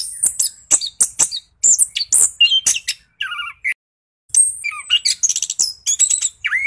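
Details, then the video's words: Varied rolling song of an orange-headed thrush, played to stir reluctant birds to sing: fast bursts of shrill chirps and piercing whistles alternating with lower harmonic warbled notes, one brief silent gap midway. "PANCINGAN SUARA ANIS KEMBANG GACOR NGEROLL"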